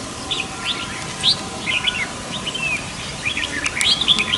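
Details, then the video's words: Flock of red-whiskered bulbuls stirring up a forest; many short, bright chirps and slurred whistles overlapping continuously against a steady background hiss. "Bầy chào mào náo loạn cả khu rừng"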